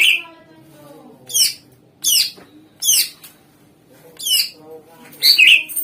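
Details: Greater green leafbird song played as a lure to draw replies from other songbirds: a string of sharp, harsh downward-sweeping notes repeated about every second, ending in a louder chattering flourish, with a faint steady low hum beneath.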